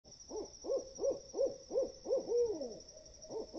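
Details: Great horned owls, heard at 4 AM in woods, give a quick run of short, low, arched hooting notes with chattering, about three a second, over a steady high insect-like whine.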